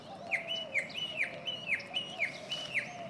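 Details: A Northern mockingbird sings in spring, repeating one bright, down-slurred chirp about seven times, roughly two per second, over a steady low droning tone.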